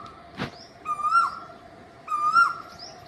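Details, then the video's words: A cuckoo gives mellow, hooting notes that swell slightly and drop at the end, repeated about every second, with a sharp click and faint high chirps. "the sound of the cuckoo"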